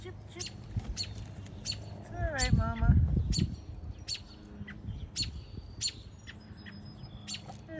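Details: Days-old American robin chicks begging for food in their nest by a fence: short, sharp, high chirps repeated roughly three times a second, with a man speaking softly partway through.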